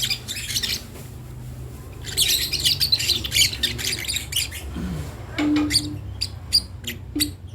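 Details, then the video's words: Lovebird chick learning to call, a long run of gritty squawks followed by short sharp chirps, with a steady low hum behind. "Ketika anak burung Lovebird belajar untuk bunyi"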